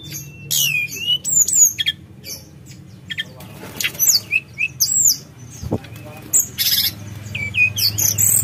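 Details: Sunda robin in full gacor nyuling ngerol song: fast, high, flute-like whistles sliding up and down, delivered in dense bursts over a steady low hum, with one sharp thump midway.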